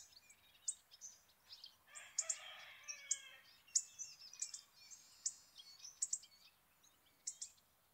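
Hawfinch giving sharp, very high clicking ticks at irregular intervals, with a harsher, rasping call from another bird in the middle.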